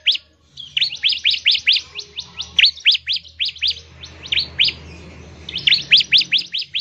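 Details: Bar-winged prinia, called ciblek, in a sustained loud ngebren song used to trigger singing in other prinias; nearly continuous chain of crisp downslurred chirps at a steady fast pace, with a low hum underneath.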